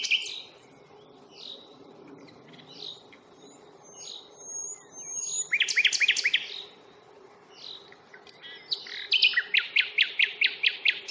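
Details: Common nightingale on a Fingringhoe reserve walk on 1 May, captured with a Panasonic Lumix FZ82. Quiet chirps and whistles build into a dense stuttered burst, then a loud run of rapid, evenly repeated notes.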